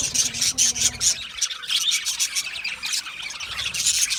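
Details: Budgerigars chirping in a small home setup: loud, bright, rapid chirps in quick bursts, then a steady high twittering chatter.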